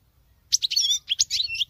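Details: Female European goldfinch singing like a male: a quick, high twittering phrase of liquid, tinkling notes and short buzzy trills, rising and falling, lasting about a second with a brief pause midway.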